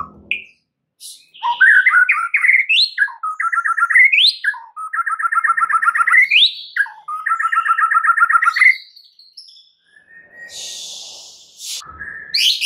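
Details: Varied white-rumped shama lure song, packed with mimicked filler phrases, meant to get other birds singing: rapid stuttering rattles alternate with rising whistles, then a brief pause and a faint hiss near the end.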